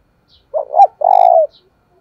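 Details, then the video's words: Spotted dove cooing in the 'giọng thổ' voice style, used to provoke and lure wild doves: a low hoarse two-part coo, a short rising note then a longer steady buzzy note, on a quiet background. "cu gáy thúc đấu/ bổi nghe là gáy, giọng hạp bổi, bổi rừng nghe là về cội"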